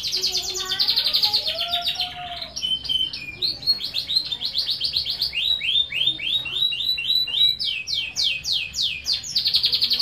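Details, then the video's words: Kept domestic canary singing energetically: a short low whistled slur at the start, then a steady run of rapid high chirped trills shifting between several pitch levels. "Suara Burung Kenari Gacor"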